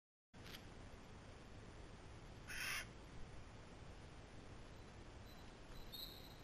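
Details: A Eurasian jay, caught on a camera trap while hopping from branch to branch, gives a single harsh, rasping screech lasting about a third of a second over a steady background hiss.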